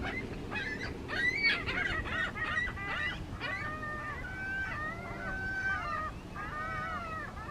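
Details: Gulls fighting: repeated harsh, downward-bending wailing calls and squeals from several birds over a steady rumble of wind or surf.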